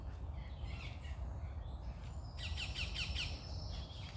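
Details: Birds singing in the morning outdoors: scattered high chirps early on, then a run of four quick, sharp downslurred notes about a third of a second apart, over a steady low rumble.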